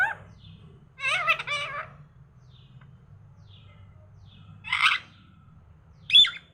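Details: Talking parrot heard in the morning: a long harsh speech-like phrase, later a short raspy burst, then a brief sharp squeak, separated by quiet pauses.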